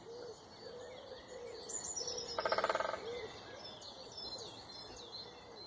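A woodpecker gives one quick, even drum roll of about a dozen rapid knocks, over soft repeated low coos and high, thin songbird notes.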